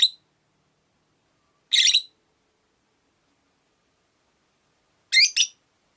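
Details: Rosy-faced lovebird in a cage near a window, one of five birds; sparse shrill chirps, a single harsh note followed later by a quick double chirp, with long pauses.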